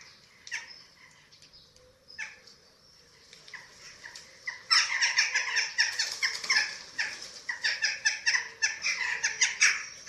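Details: Eurasian eagle-owl nest in Germany on 27 March 2024, filmed by webcam while chicks are fed. Sparse, soft, rasping notes give way halfway through to a rapid, continuous run of harsh, chattering calls.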